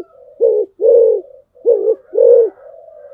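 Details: Decoy spotted dove giving two paired low cooing phrases, each a brief hollow note and then a longer drawn-out coo, separated by soft murmuring sounds and a faint high whistle.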